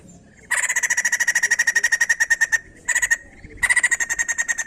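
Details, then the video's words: Song of a white-crested laughingthrush, meant to prompt other birds to sing: three bursts of rapid, steady, harsh pulsed notes, the first long, then two shorter runs separated by brief gaps. "Burung poksay Jambul langsung bunyi"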